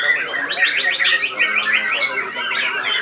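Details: Caged White-rumped shama at a murai batu singing contest, performing nonstop during judging with sharp, piercing bursts; a run of about eight quick, repeated slurred notes stands out above dense overlapping song from other competing birds.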